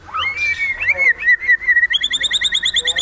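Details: White-rumped shama in high excitement delivering fill-in phrases: a long sliding whistle that wavers, followed by a fast even series of short ringing high notes repeated about twice a second.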